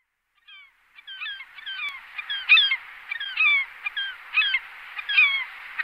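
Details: Glaucous gull calls: a series of short, ringing, down-slurred yelping notes, starting soft and growing louder, repeated irregularly about once a second.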